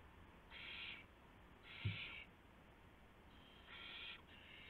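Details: Owl at a nest at night, March 24, 2016, 1:00 AM, where a gopher is brought as prey; a few drawn-out breathy screeches with a brief low knock between them.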